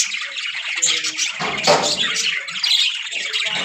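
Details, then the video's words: Budgerigars in a breeding colony with pairs ready to breed give dense, scratchy chattering with squawks and brief whistled notes. Calls overlap continuously, with a louder burst near the middle. "Noise Of My Budgies Parrot Colony"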